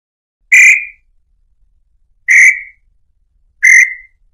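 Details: Tataupa tinamou singing to attract male and female: three separate clear whistled notes, each slightly falling and spaced about one and a half seconds apart, in a quiet background.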